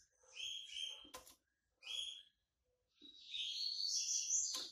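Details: Yellow-bellied seedeater with a white breast, coming out of moult, singing two short bright whistled phrases separated by a sharp click, then a longer, dense burst of high rapid twittering with a loud tap at the end.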